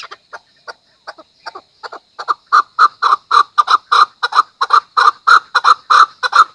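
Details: Chukar giving a rapid run of hoarse chuck notes. It starts sparse and hesitant, then settles into a loud, steady chuck-chuck-chuck about three to four per second.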